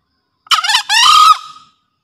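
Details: One crisp crow of a breeding-condition green junglefowl cock kept as a master for luring: a broken scratchy opening, then a sustained clear note lasting about half a second before tailing off into quiet.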